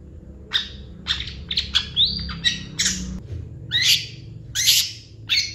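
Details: Long-tailed shrike (cendet) singing 'gacor' with full 'isian' fill-ins: separate sharp chirps and harsh squawky notes roughly every half second, one gliding whistle, and a low hum beneath.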